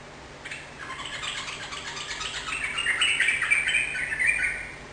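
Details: Energetic yellow-vented bulbul chattering continuously, a dense run of squeaky, tumbling notes that grows louder toward the middle and fades at the close, with low steady hum behind.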